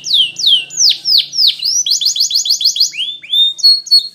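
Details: Spanish Timbrado canary training song: slow looping downward swoops, then a quick series of short sharp notes and bright rising whistles near the end.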